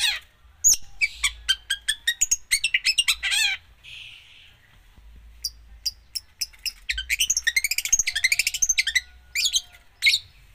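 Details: Long-tailed shrike singing a busy song with mimicked fills: fast series of sharp chips, a scratchy buzz, then a rapid rattling trill and clipped high notes.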